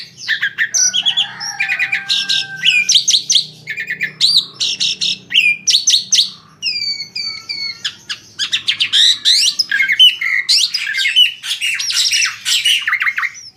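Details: Asian pied starling singing to draw other birds into song. A long varied medley of harsh chatters, squeaky whistles and rapid clicking bursts, dense and loud throughout, with a faint low hum in the first half.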